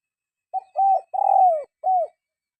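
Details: Coo phrase of a spotted dove, recorded for tutoring caged birds that seldom sing: a faint opening note, then a steady coo, a longer rough coo dropping in pitch, and a final falling coo after a short gap.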